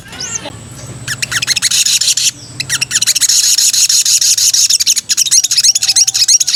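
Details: Female sooty-headed bulbul in breeding condition calling to the male: a brief rising-falling note, then bursts of rapid, high chattering, about three notes per second, separated by short gaps.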